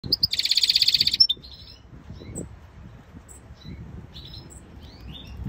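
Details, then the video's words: A caged European Goldfinch mule (hybrid finch) sings a fast, high, buzzy trill lasting about a second, then a few scattered thin twitters over a low background rumble. "European Goldfinch mule singing"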